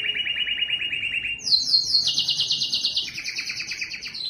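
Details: A singing yellow canary gives a rapid pulsed trill, then jumps abruptly higher into a fast rattling tour that splits into a lower strand near the end.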